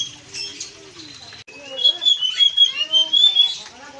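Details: Blue-and-white flycatcher, singing vigorously: soft notes at first, then a sharp break into a rich, rapid sequence of high whistled and warbled notes that continues to the end.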